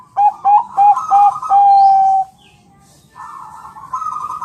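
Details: Bangkok zebra dove of champion quality, a recording meant to make birds reply. Four quick, bright coos followed by a long steady note, a brief pause, then a hoarse, rolling, buzzy phrase.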